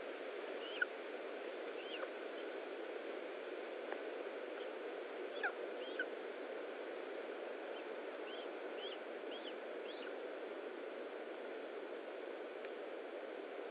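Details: Feeding at a lesser spotted eagle nest in Estonia, afternoon of 20 July 2012: a loose series of thin, high, descending yelps, some in quick pairs, scattered over about fourteen seconds against constant background hiss.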